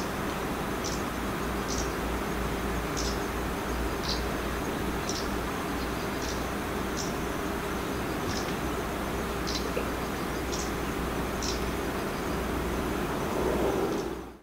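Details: Short, high, sharp "jiji" call notes about once a second from unseen trees a few metres across an irrigation canal by lotus fields, Iwakuni, Hiroshima, 29 September 2020, autumn migration; presumed Kamchatka leaf warbler from call and season; steady low rumble.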